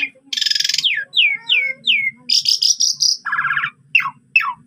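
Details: Asian pied starling, a captive bird singing a constant, varied song full of imitated phrases, used to train and provoke other starlings: a buzzy rattle, then three clear down-slurred whistles, harsh buzzy bursts and sharp falling notes. A faint low hum runs underneath.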